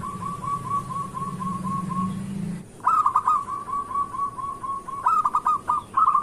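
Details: Morning lure song from a local zebra dove for birds that are slow to sing: an even run of rapid coos, then after a pause louder stuttering phrases of rolling notes with short breaks.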